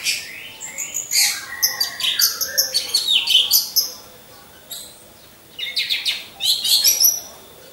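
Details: Orange-headed thrush song from birds caged in a row to build singing stamina. Choppy, varied, high twitters and whistles come in two active spells, with softer lower notes between.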